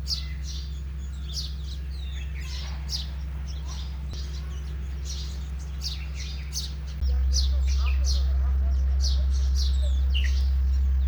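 Sparrows chirp constantly in short, bright notes, several a second and overlapping, over a steady low hum that grows louder toward the end.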